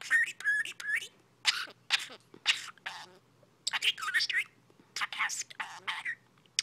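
A budgerigar talks in quick, high, whispery bursts of mimicked speech mixed with warbling chatter.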